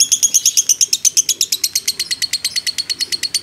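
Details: Fighter lovebird kept as a training model, giving a long ngekek: high, ringing, buzzy chattering notes repeated rapidly and evenly, about seven per second, clean and loud.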